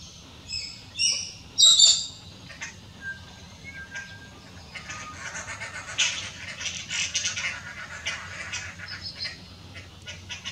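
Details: Dollarbirds on power lines give harsh, rasping squawks in two loud bursts near the start, followed by softer scratchy chattering that rises and falls over several seconds.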